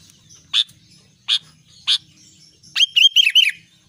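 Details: Albino sooty-headed bulbul in lively song: three evenly spaced harsh chips, then a rapid, liquid, bubbling phrase of rising and falling whistled notes at the end, with a soft low background murmur.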